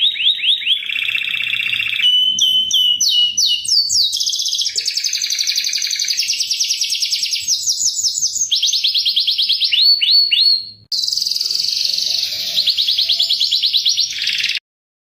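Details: Canary lure song with cuit cuit chirping, continuous and loud; chains of quick repeated trill notes changing pitch every second or two, rising slurred notes in places, a short break near eleven seconds, then more rolling trills.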